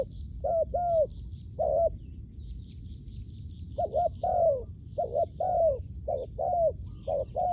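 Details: Decoy spotted dove calling to lure wild doves, Thailand; low, gentle coos in short falling notes, a few early then a long quick series after a pause, with faint high chirps of other birds behind.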